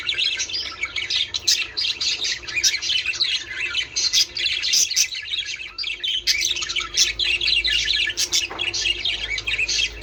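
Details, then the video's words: Flock of budgerigars warbling to encourage mating: continuous overlapping chirps, squeaks and scratchy twitters with sharp clicks, hardly a break across the recording. "من أجل تحفيز طيور البادجي على التزاوج"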